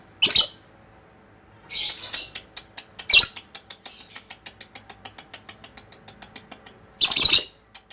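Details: Lovebird performing ngekek, its Indonesian chattering song style: four loud, harsh, rasping bursts separated by long runs of faint, quick, evenly spaced ticking clicks.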